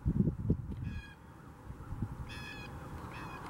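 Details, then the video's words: Blue jays in Huron Natural Area, Kitchener: three separate harsh, nasal calls rise over strong low rumbling background noise, with a few thumps at the start. "Blue jays symphony"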